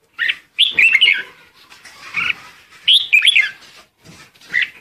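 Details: Red-whiskered bulbul singing a lure song to call its flock, with rich warbling phrases of rising and falling notes, repeated about every two seconds, and quieter chattering between them.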